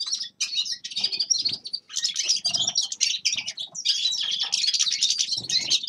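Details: Forest birds singing in winter: a busy, overlapping twitter of high chirps and scratchy trills, briefly interrupted twice. A soft low rustle sits underneath.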